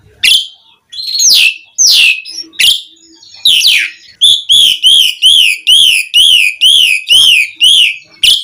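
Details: Asian pied starling song serving as a provocation for other starlings: sharp descending squeaks and chatter, then a steady run of about ten arched whistled notes.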